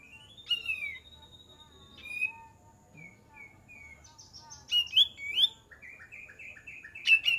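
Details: Lure recording of an olive-winged bulbul: a long steady whistle, then short whistled notes, rising scratchy phrases and a rapid series of clipped repeated notes near the end; quiet rumble underneath.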